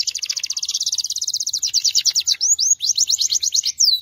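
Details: Belgian canary delivering a long, fast, even trill of rapidly repeated high notes that slows into separate looping whistled notes and a final rising slur.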